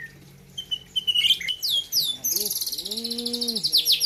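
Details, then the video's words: White-rumped shama (murai batu) from Gayo, Aceh, singing at a bird competition: sharp high whistled notes, then a rapid run of repeated buzzy chirps with lower warbled tones underneath. "ALUNAN MERDU MURAI BATU POLEM"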